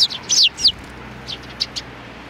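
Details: Sparrows with a little youngster, recorded 27 June 2019: a burst of loud, sharp, high chirps in quick succession, then a few softer, spaced single chirps.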